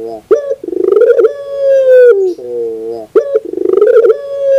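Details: Cooing Barbary dove on a training track for birds. A pulsing, rolling throaty start swells into a long even coo that slides lower into a soft tail. The pattern then repeats with another rolling burst and a sustained note.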